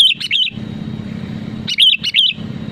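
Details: Sooty-headed bulbul singing to pressure rivals into song: two short bubbly, warbling phrases of quick rising-falling notes about a second and a half apart, over a steady low hum.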